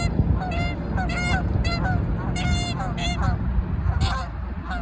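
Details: Territorial Canada geese give loud, braying honks in clustered bursts, several geese calling back and forth, fading toward the end against steady low-frequency noise.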